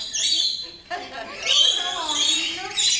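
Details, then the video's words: Rainbow lorikeets being fed at close range at West Midlands Safari Park screech and chatter in harsh, high, overlapping bursts, several birds calling at once in a noisy jumble. "Feeding Rainbow Lorikeets"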